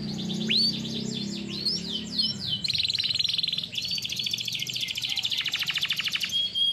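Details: Canary song for training: tumbling varied notes at first, then buzzy, rapid trills in several rolls at different pitches, some low background noise underneath.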